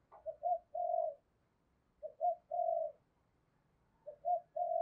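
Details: Spotted dove coo used to stimulate wild doves into cooing, in the thổ sấm voice style: three quiet phrases, each of short low notes leading into a longer steady coo, repeated about every two seconds, in an otherwise quiet background.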